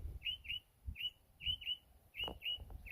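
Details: A bird perched in yard trees in a country area, revisiting the same spot for a day or two, gives short high chirps in pairs and singles, about every half second, over low rumbling background noise.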